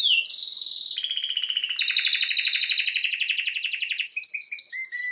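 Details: Canary song used for training, with a long buzzy rolling trill of rapid repeated notes, a sustained high whistle, then several short clipped notes at the end.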